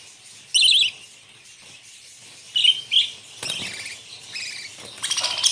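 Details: Budgerigars on a farm give bright, scratchy chirps and warbles in short bursts, with a quick rapid chatter near the end.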